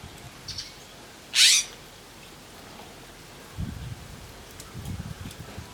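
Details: Western scrub jay visiting a feeding tray in wind, one short, loud, rasping screech in the middle, with scattered low knocks and soft background noise around it.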